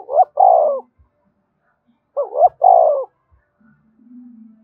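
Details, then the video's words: 'Gáy thúc' song of a spotted dove, used to make captive birds call along: two phrases of quick rising coos ending in a long falling coo, followed by a faint low hum. "Tiếng chim cu gáy thúc cực đỉnh, mở lên bổi nghe gáy theo cả ngày"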